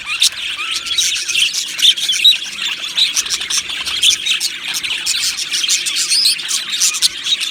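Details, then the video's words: Colony of budgies in an aviary, steady high chatter of chirps and warbling notes from many birds, one short level whistle near the start, busy and continuous throughout. "Beautiful Budgies Singing and Chirping Sounds"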